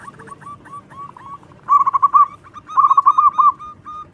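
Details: Zebra dove, local bird singing constantly and loudly as a lure: faint soft notes at first, then two loud bursts of quick stuttering coos.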